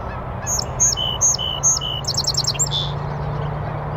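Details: A Song sparrow sings from a bush on a northern USA oak savanna beside a beaver pond: four crisp, evenly spaced high notes dropping in pitch, a fast buzzy trill, then a lower closing note, over a faint low hum.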